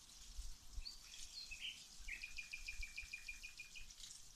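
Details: Faint birdsong heard while watering plants: a few high scattered chirps, then an even, rapid trill of about a dozen identical ticking notes at steady pitch over hissy background.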